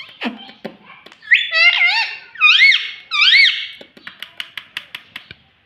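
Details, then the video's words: Indoor talking parrot, said to say 'mummy papa': scratchy opening notes, then three loud arched whistled syllables rising and falling, followed by a string of short sharp clicks. "Talking parrot mummy papa - Bolne Wala Tota - mummy mummy bolta tota"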